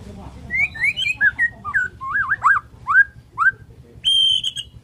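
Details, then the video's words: Morning song of a Borneo white-rumped shama: varied, fluty whistles that slur up and down and twist into wavy notes, ending in one long, steady high whistle, with faint low hum behind. "KICAUAN MURAI BORNEO PAGI"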